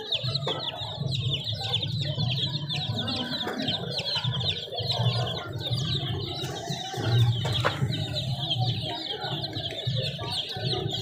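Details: Many young chicken chicks peeping in rapid, overlapping high notes throughout, over a pulsing low rumble, with a few sharp knocks and rustles.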